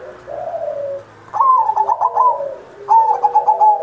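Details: Zebra dove, recorded as a master recording to stimulate other pet doves, singing two quick rolling coo phrases after a low soft coo, with a second, lower dove cooing beneath.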